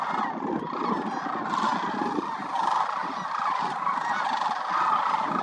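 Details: Sandhill cranes spending winter at the Willcox Playa Wildlife Area, a gathering of over 20,000 migrants. Loud, unbroken chorus of rolling, bugling calls, with individual trills rising above the mass of voices.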